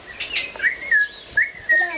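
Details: Parrot giving loud whistled calls, several sliding tones that rise and level off, in short bursts with brief gaps.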